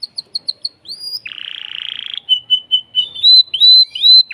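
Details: Excited caged male canary singing to arouse a female for breeding; short bright notes, a rising whistle, a dense rolling trill, then loud looping whistled phrases.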